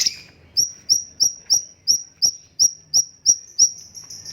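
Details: Cucak cungkok, or stripe-throated bulbul, giving a steady series of short, sharp, high notes. Each note rises quickly and they repeat about three times a second in an even rhythm.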